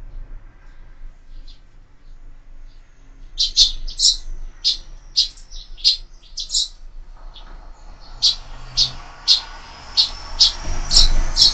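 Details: Sparrows feeding at feeders fixed to a window: quiet at first, then a run of sharp, high chirps repeated roughly every half second, growing louder toward the end over a low background hum.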